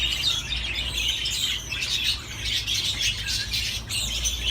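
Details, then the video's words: Budgerigars give busy twittering warbles and quick chirps that run together into a continuous bright chatter, with a faint steady hum underneath. "تغريد طيور الحب االبادجي"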